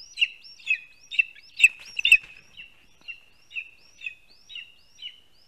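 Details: Latvian lesser spotted eagle chick in its spruce-tree nest, 2 August 2020 around midday, calling as an adult arrives with a vole: sharp high whistles roughly twice a second, a brief clustered burst midway, then softer repeated notes fading out.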